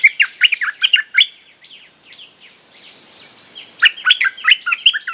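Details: Bulbul mate-calling song used as a lure and for teaching young birds: bursts of rapid, bright chirping notes that drop and rise in pitch, a quieter pause of softer notes, then another lively chirping burst.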